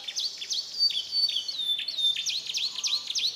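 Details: Canary in Comal, Pemalang, Central Java, Indonesia, delivering mixed imitated song: high sharp down-slurred chips with thin steady whistles between them, fast and irregular, with a faint low whistle late on.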